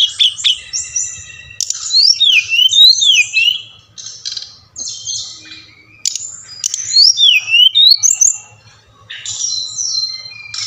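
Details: Brown-chested jungle flycatcher song played to encourage captive birds to sing: several loud bursts of sweeping, looping whistles and chattering notes, each lasting one to two seconds, separated by softer gaps, with a low background hum.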